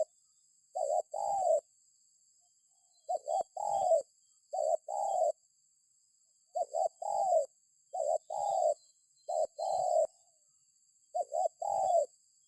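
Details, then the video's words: Spotted dove calling, played as a lure so other birds join in: repeated low cooing phrases, each a short doubled coo then a longer one, recurring every couple of seconds over a constant faint high-pitched hiss. "Suara Burung Tekukur"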